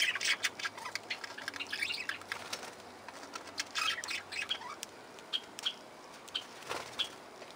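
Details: Parakeets or other small parrots, possibly lovebirds or budgies, chatter in busy, scratchy bursts in an aviary, with sharp high chirps about every half second and soft rustling wingbeats between calls.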